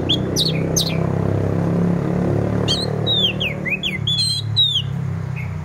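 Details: Orange-headed thrush singing teler style to spur other thrushes to sing in the morning: a pair of steep descending whistles, then a rapid tumbling run of varied slurred notes at middle-high pitch, over constant low-pitched background noise.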